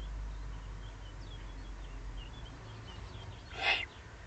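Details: Eurasian eagle-owl below the nest site in the Eifel, 31 May 2020, ending with a single coarse, hissing rasp. Faint chirps from small birds and a low rumble fill the preceding seconds.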